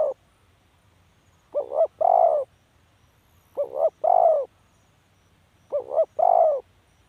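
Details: A spotted dove's cooing phrase, two brief clipped notes leading into a fuller, longer coo, given three times at roughly two-second intervals against a quiet background with slight low rumble.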